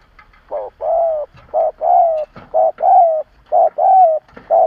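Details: Decoy spotted dove kept to provoke wild doves, cooing strongly: a run of about ten low, mellow coo notes, short clipped notes alternating with longer slightly falling ones, roughly one per second, with a quiet room behind.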